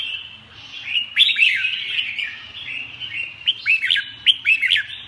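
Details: Red-whiskered bulbul singing with a sustained warbled chatter punctuated by loud, sharp, slurred notes in clusters near the start and end, over a faint low hum.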